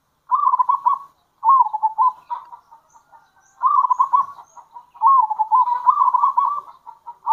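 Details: Zebra dove of local strain used for luring; repeated bubbling trilled coo phrases, closely spaced and sometimes running together, with a faint soft rustle.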